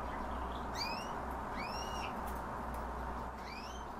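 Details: Himalayan bulbul giving three separate arched, slurred notes, each rising then falling with a faint overtone above, spaced about a second apart against constant low rumbling background noise.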